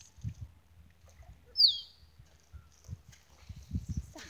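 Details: Male Musk Duck displaying to females at Lysterfield Park, Victoria, Australia: one sharp, high whistle sliding downward near mid-clip, set among scattered low, soft thuds in an otherwise quiet setting.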